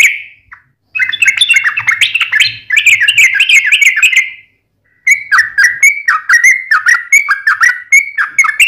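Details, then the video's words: Sooty-headed bulbul singing gacor tarung ngalas ropel: a lone whistle, then long runs of quick, bubbly, slurred whistles, rising and falling, split into two bursts by a brief silence, with a faint low hum early on. "KICAU SUARA trucukan gacor TARUNG NGALAS ROPEL"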